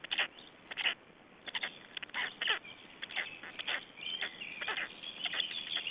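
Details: Black stork chicks at a nest in Estonia during a feeding on 21 May 2012. Rasping, breathy bursts repeat quickly in uneven clusters, with a faint thin whistled line running high through the second half.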